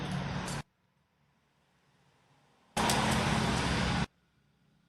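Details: Two loud bursts of roaring road traffic are broken by a quiet gap with a low hum, and no bird is heard.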